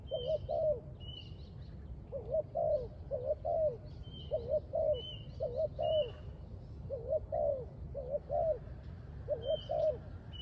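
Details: Spotted dove recorded at a bird trap, cooing again and again in short phrases of two or three hoarse, mellow notes, roughly one phrase a second. High thin whistles from other birds are heard throughout over steady low background noise.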